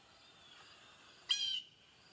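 A blue jay gives one short, harsh, nasal note lasting about a third of a second, rich in overtones, against quiet background hiss.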